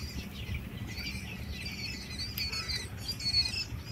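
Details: Eight-day-old quail chicks giving thin, high chirps that overlap in a busy chatter, over a steady low rumble of background noise.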